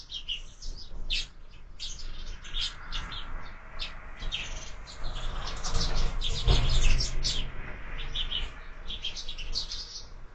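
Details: Sparrows at a feeder mounted on a window, fed year-round, at breakfast: a dense stream of short, sharp chirps overlapping, several birds calling at once over a low rumble of traffic.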